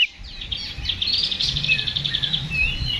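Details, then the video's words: Oriental magpie-robin fighting song used as provocation. A continuous rapid, slightly buzzy trill of even repeated notes, with a few short whistles, over low background rumble. "KACER GACOR NGEPLONG TARUNG !! PANCINGAN KACER PALING AMPUH BUAT MENAIKAN EMOSI KACER AUTO RESPON"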